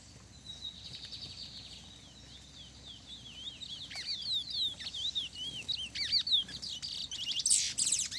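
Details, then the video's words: Lesser seed finch, a specialist singer, in a singing duel against another bird: rapid series of whistled, bouncing notes and slurred upsweeps, growing louder and denser toward the end, with a faint buzzy high background. "Meu curió especialista de Pablo pegando um pardo na batida"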